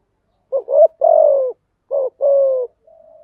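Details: Spotted dove song used as a lure to train newly caught doves to sing: deep cooing phrases of short double notes then a long falling coo, clean with no background sound.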